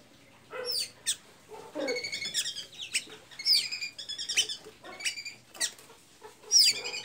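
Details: Pipira azul, the blue-gray tanager, from Santa Inês in Maranhão, delivering a loose, extended string of high squeaky chirps and short buzzy trills, uneven in loudness, with a sharper squeal near the end.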